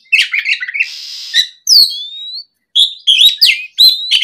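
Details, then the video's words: Afternoon oriental magpie-robin song meant to draw other magpie-robins into replying: a burst of quick chirps, then a harsh buzzy note, followed by clear upslurred whistles and rapid high sweeping notes in lively, varied sequence. "SUARA PIKAT BURUNG KACER GACOR NGEPLONG SORE, MEMANCING KACER BAHAN AGAR LEKAS BUNYI NYAUT & GACOR!"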